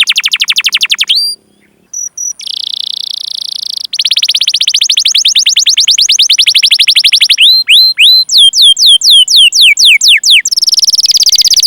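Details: Vigorous canary song with long cuit-cuit rolls, played as a lure for young, untrained or silent canaries. Fast sweeping notes lead into a long steady buzzy roll, then sharp repeated descending whistles and a final trill.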